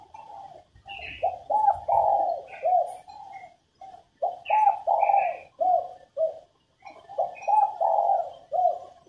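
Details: Female spotted dove coo meant to set males cooing: three repeated phrases of mellow hooting notes, several short coos running into a longer swelling one, with brief higher chirps in between.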